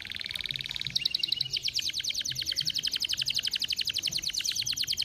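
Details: Canary singing as a lure to get other canaries singing quickly. High, rapid trills shift into a fast, rattling roll of bright repeated notes, with a faint low rumble behind them.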